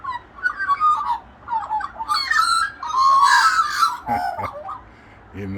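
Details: Morning carolling from a local flock of Australian magpies, a group vocalisation: loud, rich warbling phrases with fluting, gurgling notes rising and falling, several birds overlapping, followed by a brief human voice at the end.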